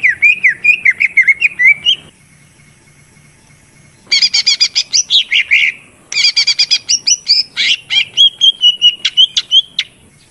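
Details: Lure song of the greater green leafbird (cucak ijo): long bursts of fast, varied chattering and whistled notes, some buzzy and high, others looping lower, separated by short pauses of about two seconds.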